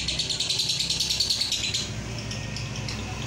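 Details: Lovebird Roroh ngekek used as masteran: a quick rattling trill of high notes, about three per second in pulses, lasting under two seconds and then softening, with a low mechanical hum beneath.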